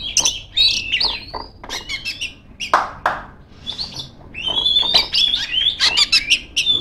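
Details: Female Oriental magpie-robin in full, lively song calling out to rivals, mixing quick chirps, rising whistles and a few harsh rasping notes in a fast, varied stream.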